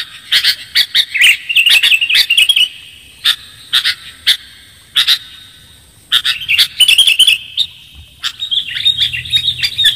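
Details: Sooty-headed bulbul lure recording for attracting birds: loud bursts of chirps and short warbled phrases mixed with sharp clicking snaps, in uneven clusters over ten seconds.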